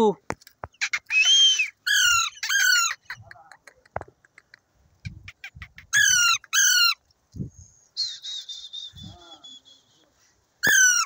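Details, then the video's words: Indian ringneck parrot talking in a tree in a happy mood: repeated harsh, buzzy squawked phrases with stacked harmonics, brief chattering and low voice-like sounds between them, and a sustained nasal note near the end. "Indian Ringneck parrot Talking in tree happy mood"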